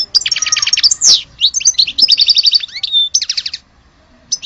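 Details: Song of an Algerian-type European goldfinch: fast buzzy trills alternating with clear, sliding whistles and sharp twitters, pausing briefly before a final note.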